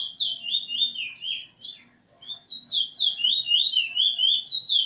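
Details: Whistled phrases from a young Eurasian bullfinch learning its song alongside a teacher bird, recorded 13 August 2020. Smooth wavering notes come in two bursts split by a short silence, about four notes each second.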